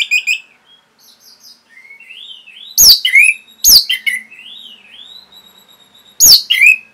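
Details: Training recording of Orange-headed thrush for caged birds: soft rising and falling whistled phrases, broken by three loud sharp chirp bursts at irregular intervals.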